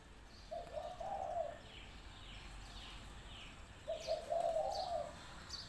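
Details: Two soft rolling coo phrases from a spotted dove used as a trapping decoy, several seconds apart, while other small birds give quick high descending chirps in the background.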